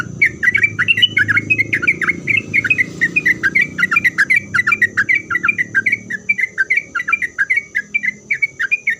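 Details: Continuous chattering song of a sooty-headed bulbul, rapid rhythmic chirps repeated several times a second throughout, sung to make other bulbuls reply, with a steady high tone and soft low rumble in the background.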